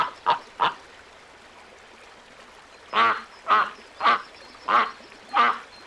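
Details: Young ducks calling: two short nasal quacks, a quiet pause of about two seconds, then five louder, longer harsh quacks spaced roughly half a second to a second apart, with faint background hiss.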